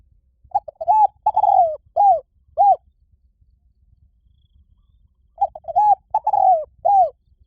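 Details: Spotted dove cooing: a phrase of short soft notes followed by a longer drawn-out coo and two brief endings, repeated after a pause of about two seconds, in quiet surroundings.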